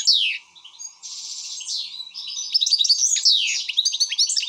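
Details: Excited European goldfinch song: a downslurred whistle, a buzzy sustained trill, then a dense run of tinkling twitters and sweeps, with a low faint hum.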